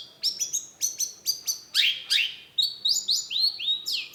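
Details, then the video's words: Long-tailed shrike singing in full: a quick series of sharp high chips, then loud down-slurred notes, followed by rising, buzzy whistled phrases repeated about every half second. "cendet gacor PANCINGAN LANGSUNG NYAUT || Long-tailed Shrike"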